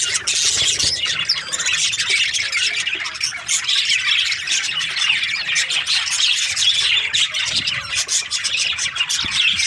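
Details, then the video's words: Many budgerigars chirping during breeding season: a steady, crowded chorus of high twittering, warbled notes and squawks with no pauses. "Lovely budgies chirping sound parakeets breeding season"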